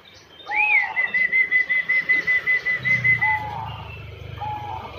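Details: Zebra dove of the banyumili katuranggan type, about six years in captivity, in full song and said to respond when called: a rising note opens a long run of fast, even pulsed coos under a high whistle, then lower mellow coos follow.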